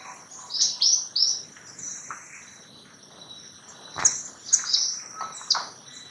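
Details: White-winged Tanager (Piranga leucoptera), a forest canopy species found from Mexico to Bolivia, giving high, thin chirping notes in two quick bursts of three or four, each sliding downward, with faint insect hum behind.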